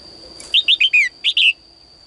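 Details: Caged female bird's morning singing to call males into more song: a fast string of six bright, falling chirps, a short break before the final pair, and a steady thin high tone behind.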